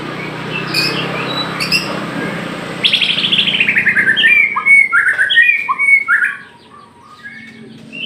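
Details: White-rumped shama of the Aceh type, a caged songbird, begins with faint chirps over background hum, then gives a loud run of descending trills and repeated whistled phrases before falling quiet.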